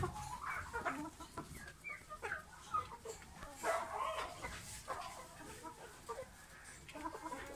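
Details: Red Shouldered Yokohama rooster clucks and murmurs in short, uneven bursts, with low grumbling notes and a few sharper squawks over a faint hiss.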